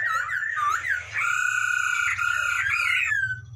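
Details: Masked laughingthrush recorded in Indonesia for song training, in full song: looping slurred whistles, then a long rich nasal note with strong overtones lasting about two seconds, over a low electrical hum.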